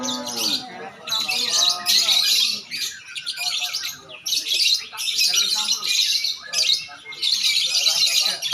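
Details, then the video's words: Lovebirds competing at a singing contest deliver ngekek chatter in loud, harsh bursts of rapid twittering about a second long, separated by short pauses, with a man speaking underneath. "Lomba burung love bird"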